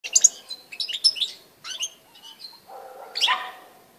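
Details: European goldfinch singing, recorded 18 December 2016: bursts of high, bright twittered notes and short buzzy trills, broken by pauses, with a faint steady low tone underneath.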